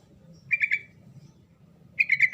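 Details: Sooty-headed bulbul song of the kind said to make silent birds answer at once: a three-note bubbly phrase, a one-second pause, then a longer run of four rich warbled notes.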